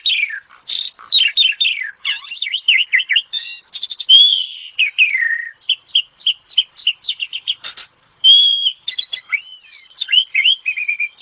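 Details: Asian pied starling ngetop song, used as therapy: dense mix of sharp chips, repeated doubled notes, a long downslurred whistle and quick chattering phrases, continuous throughout.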